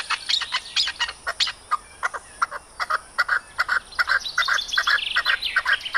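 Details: Arabian partridge, known locally as maskati chakor, calling: a fast, fairly regular run of short chuckling notes, about two or three per second, growing denser and more chattering toward the end.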